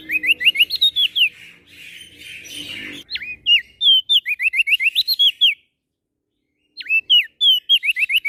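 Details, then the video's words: Singing prenjak daun (prinia) from NTB, Lombok: repeated volleys of fast, piercing, wavering whistles, briefly blurred by a rushing noise, with swooping single notes between phrases. "Prenjak Daun NTB Gacor PAgi SIang MAlam Tetap Rajin Bunyi"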